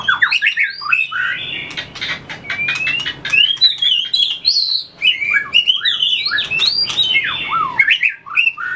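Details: Dense, rich outpouring from a white-rumped shama trained for song contests, tail-flicking and shuttling along its perch; fast clear whistles, swooping slurs and chattering notes run almost without break.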